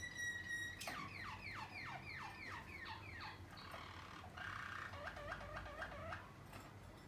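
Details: Young Waterslager canaries of 2020 in song: a steady ringing note, then a run of slurred descending whistles, a buzzy trill and a quick bubbling phrase of looping notes, over low room hum.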